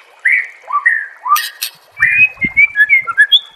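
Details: Songbird training master of white-rumped shama: short whistled phrases and sharp clicks, then a series of clear sliding whistles repeated quickly, with a few faint low thumps.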